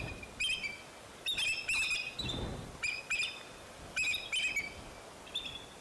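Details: Bald eagle at the Fraser Point nest, 10 April 2019, when eaglets fell out of the nest and returned, gives high, thin chittering notes in quick stuttered bursts about once a second, piping and slightly squeaky, with a brief low rumble of wind midway.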